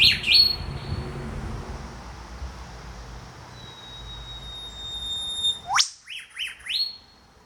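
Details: Eastern whipbird pair, male and female, in a backyard treetop in Australia: a long thin whistle, then the male's sharp whip-crack sweep answered instantly by the female's quick paired notes, sounding like one bird.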